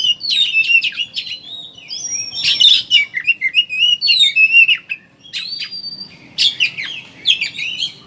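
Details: Oriental magpie-robin chattering in ngeriwik style, used as a lure to prompt birds to sing; bright high whistles, upslurred notes and quick chip bursts, a brief pause midway, then more whistled phrases.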